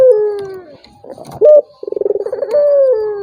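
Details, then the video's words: A turtle dove's provoking call for a reluctant rival: a long falling note ends, then a brief sharp note and a rapid pulsed coo rising into a sustained tone. "PANCINGAN BURUNG PUTER || COCOK UNTUK LAWAN YANG MALAS BUNYI"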